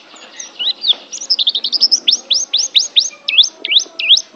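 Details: Banten Oriental white-eye, an Asian champion songbird, delivers a bright, high twitter that settles into a regular series of sharp downslurred and V-shaped whistled notes, about three per second.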